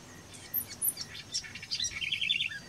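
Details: House wren (Troglodytes aedon): a quiet series of thin, high chips and short notes leads into a brief, evenly pulsed trill of about six beats at the end.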